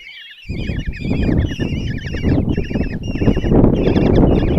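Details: Common kestrel chicks, five in a Hungarian nest box at Tiszalök, begging during a breakfast feed from the female, June 26, 2024; wavering trilled squeals start at once and continue, joined by loud rustling after a moment.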